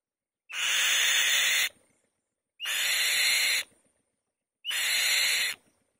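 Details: Loud rasping calls from a female white-tailed kite on the nest: three harsh, breathy screeches of about a second each, repeated roughly every two seconds, in a quiet setting.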